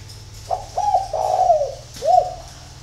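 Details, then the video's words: A spotted dove coos in the early morning at Ba Vì, Hanoi, Vietnam: a full phrase of two short hooked notes and a long falling slur, followed by a single clear coo. Low steady hum beneath. "CU GÁY SÁNG SỚM"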